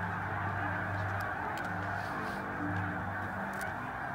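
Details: Massed snow geese staging on spring migration at Middle Creek Wildlife Management Area in 2022: a constant dense chorus of high honks, with a low droning hum running underneath at intervals.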